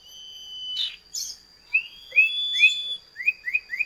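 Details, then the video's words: Common iora duet song used as a lure for kept birds, with rising-then-falling slurred whistles repeated in small groups after a long steady whistle and two harsh bursts. "Masteran burung CIPOH KACAT gacor ngerol duet pancingan"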